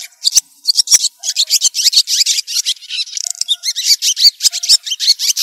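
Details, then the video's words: White-breasted woodswallows calling to the flock: a fast, continuous chatter of harsh, scratchy high notes, several birds overlapping with hardly a pause, no background noise. "tiếng chim én đen ngực trắng gọi bầy"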